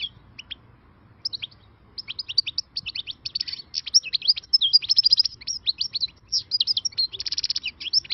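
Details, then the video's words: Newly caught wild European goldfinch in a run of quick, tinkling twitters and buzzy trills that build steadily after a slow start, growing louder and denser toward the end, over a soft low rumble. "غناء خلوي صيد جديد _ غناء حسون بري"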